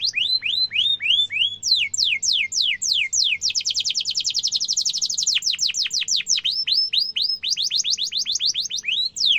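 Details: Canary song used as a master recording for young canaries to copy: varied phrases of descending whistled sweeps, then a fast rolling trill of rapid notes, returning to repeated down-slurred chirps.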